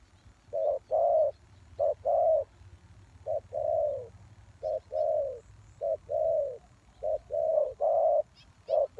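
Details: Spotted dove calling as a lure for wild doves: low mellow coos in pairs, a short note then a longer rolling one, repeated about every one and a half seconds, with faint high chirps from other birds.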